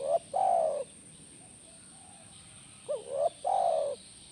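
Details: Spotted dove coos aimed at making a caged dove answer: the tail of one phrase, a pause, then a full phrase of a rising short coo and a long, soft, falling coo.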